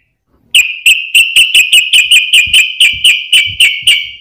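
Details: Sooty-headed bulbul in a lure recording for prompting other bulbuls to sing; a rapid, steady run of about fourteen bright clipped notes at even pitch, roughly three per second.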